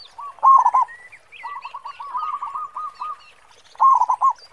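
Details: Perkutut lokal, a local zebra dove, in full song with a deep khong voice, meant as a lure: loud rolling coo bursts at start and end, a softer run of repeated coos between, thin chirping of other birds above.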